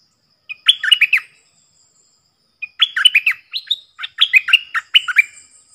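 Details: Four decoy bulbuls, 31 July 2021, giving lively, gurgling, warbled phrases: one short burst, then a longer run of jumbled, liquid notes after a pause, with a faint high thin tone behind.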